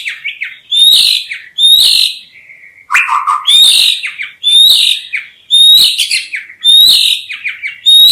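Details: White-rumped shama song, loud and rich: bursts of clear whistled and warbled phrases with high sharp notes, each phrase about a second long and repeated roughly once a second with brief pauses between.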